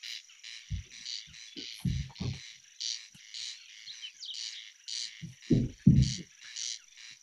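Corn Crake gives dry, rasping calls, repeated about twice a second, in a night soundscape with a steady high insect-like whine and deep croaking bursts.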